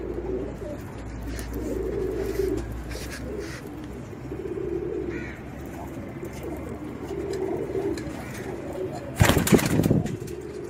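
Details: Racing pigeons kept with children coo in low, throaty rolling phrases repeated every couple of seconds, with a loud rattling clatter near the end and faint background hum.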